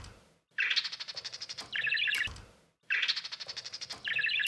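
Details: Budgerigar kept as an exhibition bird, producing a fast series of ticking, pulsed notes that run into a bubbly, scratchy warble, the same phrase heard twice in a row.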